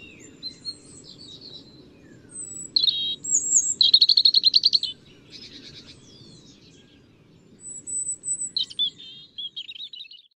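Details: European robin song in separated bursts: scratchy high notes, a pure thin whistle, then a rapid buzzy trill of about a dozen evenly repeated notes; after a pause, another high whistle and a warbling twittered phrase, over soft low rumble.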